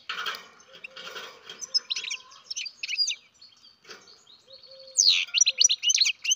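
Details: Captive-bred young European goldfinch: rustly broadband noise at first, then quick thin chirps, ending in a loud rapid twittering run.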